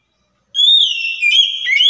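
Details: A loud, high, sustained whistle from an Oriental magpie-robin, played as a lure to provoke a silent, stressed bird into answering, holding steady and then breaking into short slurred steps at the end.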